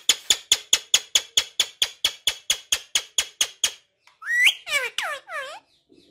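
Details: Pet talking parrot giving a rapid train of about sixteen sharp clicks, roughly four per second, then a pause and several loud rising and falling whistled calls with rich harmonics.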